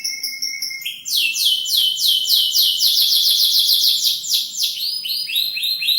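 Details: A canary, caged in a new or old cage, gives a steady whistle, then bursts into loud rolling trills of swift sweeping notes, slowing into wider spaced sweeps at the close.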